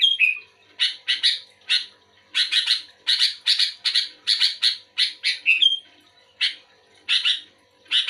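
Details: A sooty-headed bulbul sings vigorously while responding to another bulbul: dense clusters of scratchy chirps, with short downward whistled slurs opening and ending the phrase.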